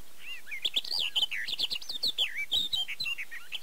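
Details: Barred warbler at Erdőhorváti in Tokaj, Hungary, captured early May 2013 on a Canon EOS 7D, pouring out a hurried, harsh warble of chattering clicks mixed with swooping whistled notes for nearly four seconds.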